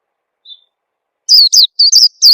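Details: Oriental white-eye lure call for prompting young birds to sing: one faint short note, then five loud, rapid, high chirps in quick succession, in a clean recording.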